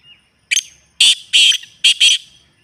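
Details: Calling partridge, a genuine recording for encouraging kept birds to answer: one clipped note, two sustained harsh grating bursts, then two quick rasps, loud and clean against silence.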